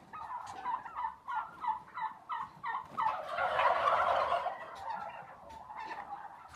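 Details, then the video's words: Turkey call opening with a string of short, evenly spaced gulping notes, then breaking into a full loud gobble, followed by quieter gurgles. "ЗВУК ІНДИКА | Який звук видає індик"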